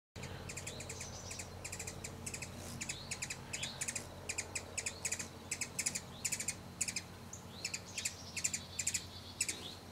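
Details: Agitated hummingbird in the Great Smoky Mountains guarding a feeder from people sitting too close: rapid bursts of thin, high, buzzy chips repeated in clusters throughout, with a faint low background hum.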